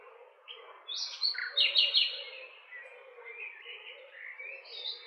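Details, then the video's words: Nightingale song opening with a whistle, then a loud fast rattling series of notes, followed by quieter varied warbles and a final high whistled phrase. "Cantec de privighetoare - Nightingale's song"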